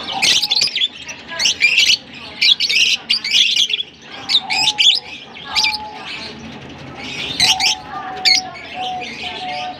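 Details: Lovebirds at Larkana keep up a lively stream of piercing chirps and squeaks, with brief steady whistled tones between the louder bursts, several birds seeming to call together.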